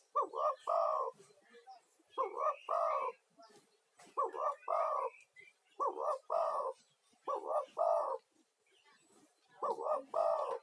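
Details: Male spotted dove giving its lure call to summon other doves: six husky two-part coo phrases repeated steadily about every two seconds, each a short note followed by a longer throaty one, with light clicks between.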